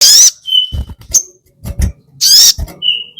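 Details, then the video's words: Crested jay, called sogon, giving a lure recording meant to provoke other sogon: two loud, harsh, rasping screeches with a fainter drawn-out whistle after each, separated by dull low thumps and clicks. "burung sogon GACOR FIGHTER - EFEKTIF buat PANCINGAN sogon bahan cepat ngalas ngleper !! AUTO NEMBAK"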